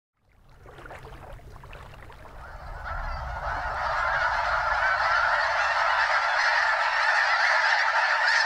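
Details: Flock of well over 200 Snow Geese circling over Limestone Bay at Wheeler National Wildlife Refuge, North Alabama, before landing on the water; a dense chorus of overlapping honking calls swells from faint to a loud, continuous din.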